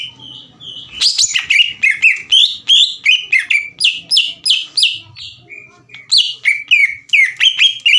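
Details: Green leafbird giving fast, excited song to stir up a rival: a quick string of whistled, swooping notes, several per second, with a faint low rumble at the start.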